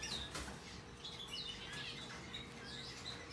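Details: Tame rosy-faced lovebird chick with white-face Australian cinnamon coloring, recorded 2022-04-03: soft scattered high chirps and short downward squeaks, a couple of brief clicks or taps, steady low hum beneath.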